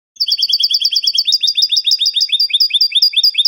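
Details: European goldfinch in the Spanish salon singing style, 'canto de salón', sung without terminations: a rapid train of bright, rolling twittered notes at about two per second-fraction, doubled high whistles over each note, steady and clean.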